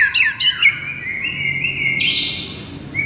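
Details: White-rumped shama masteran song to provoke a sluggish shama; a few sharp notes, then long sustained whistles stepping upward.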